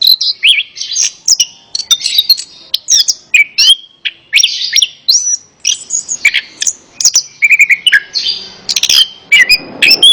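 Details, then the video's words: Orange-headed thrush song used as training therapy to get a reluctant bird singing: a dense, fast run of varied whistled and chattering phrases, high and sharp, with short trills and clicks filling nearly every second. "Terapi Burung Anis Kembang | Atasi Burung Anis Kembang Malas Bunyi Ikut Nyaut"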